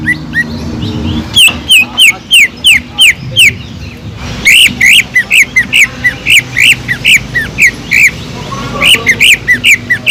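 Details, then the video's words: Greater green leafbird song with kingfisher mimicry, played to trigger other leafbirds: long runs of loud, sharp downslurred whistles repeated almost three per second, briefly broken by a short pause, over a low hum. "PANCINGAN CUCAK IJO GACOR ISIAN ISTIMEWAH TENGKEK UDANG"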